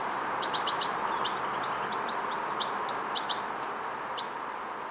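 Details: Young European goldfinch fledgling practising motor control and coordination: clusters of thin, sharp high chirps at an irregular pace, with a few quick downslurred notes, against constant background hiss.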